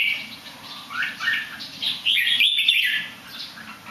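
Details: Bird praised for its song though it flips over a little, opening with soft chirps that build into a loud, bright, trilling warble past two seconds, then trailing off.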